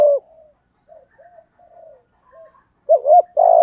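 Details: Spotted dove in the 'thổ' voice style, a recording meant to provoke wild doves: faint low coo fragments, then a loud doubled hoot and the start of a long buzzy coo at the end.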